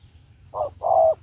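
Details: Decoy spotted dove kept for trapping gives a single two-part coo, a short note then a longer, steady low one.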